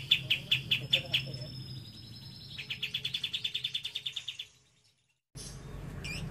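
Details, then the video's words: Lovebird isian cililin: a few spaced sharp chirps, a thin drawn-out whistle, then a quicker run of pulsed ticking notes that fades out, followed by a brief silence and a burst of background noise. "Love bird isian cililin"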